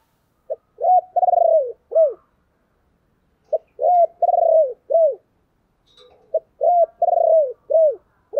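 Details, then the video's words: Spotted dove giving a low 'chìm' cooing lure call, used to stir a decoy bird: three soft hollow phrases, each a short note then a drawn-out wavering coo and a falling note, spaced about three seconds apart. "tiếng chìm cu gáy"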